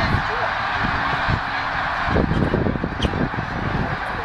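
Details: Snow geese in 2012 leaving a feeding field for the lake at Middle Creek Wildlife Management Area, PA, to spend the night: many high, yelping honks blur into a thick roaring chorus, with a few louder bursts standing out.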